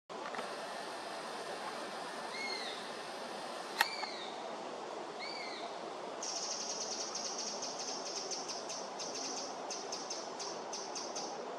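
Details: Young Eurasian sparrowhawk begging at Beemdkant, Wijnegem, on 11 August 2021: three thin, drawn-out whistled calls that rise and then fall, spaced over about three seconds. High rapid chirping follows, over a steady broad background hiss.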